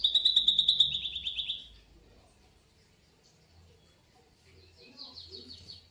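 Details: Canary song used to lure a canary into singing: a fast, even trill of about ten notes over one and a half seconds, then near quiet with a faint distant trill near the end and low background noise.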